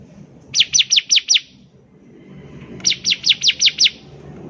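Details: Bar-winged prinia in active song as a lure to make others sing: five quick, bright, descending notes, a gap of about a second and a half, then six more at the same pace.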